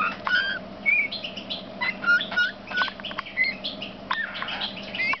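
A male Eurasian bullfinch sings a quiet, creaky warble broken by soft piping whistles, some rising and some falling. A low hum runs underneath.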